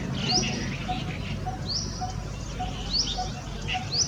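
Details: A coppersmith barbet repeats one short, low note at an even pace, near three per second. Higher bird chirps and twitters mix in, with a steady low background noise.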